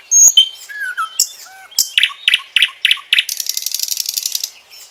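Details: Nightingale song mixing high whistles, a low fluting note, and sharp single clicks, then four evenly spaced rich chook notes before a rapid buzzy trill of closely repeated pulses.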